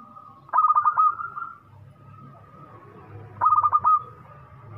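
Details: Zebra dove of local Indonesian stock, praised for its loud and ready singing, twice utters a quick rolling string of about six clear coo notes, nearly three seconds apart, over faint low hum.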